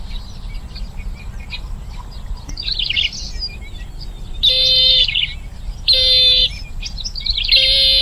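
Bronze-winged jacana giving harsh, nasal, wheezy calls in bursts about every one and a half seconds, with softer chattering between and a low background rumble.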